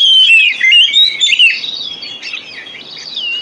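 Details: White-rumped shama singing as encouragement for other birds, opening with loud rich slurred whistles and trills that fade into softer, high warbled notes.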